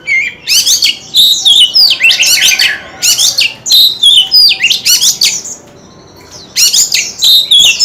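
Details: Tail-flicking white-rumped shama in full song: dense bursts of high, rapid warbled and buzzy notes repeated roughly every half second, with a brief pause before a final loud flourish.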